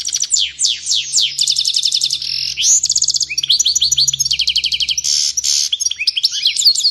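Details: European goldfinch in an excited outburst: descending liquid whistles lead into rapid metallic trills, repeated rising chirps and buzzing notes, continuous and high-pitched throughout.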